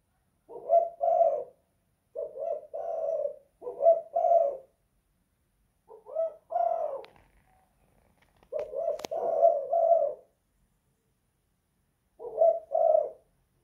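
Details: Spotted dove kept in a house, a bird of the 'kuk 2 / guk 1' cooing style, giving low, hollow two-part coos in bursts with pauses of one to two seconds between phrases; quiet room otherwise.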